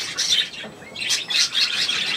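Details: Pet budgerigar chattering in a fast, high, scratchy warble that swells and fades twice within two seconds, against a constant background hiss.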